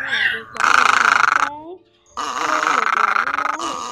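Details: Egret voices used as a nighttime net lure for migrating birds: a harsh, rapidly pulsing croak, then a pause with faint thin whistles, then another long grating croak.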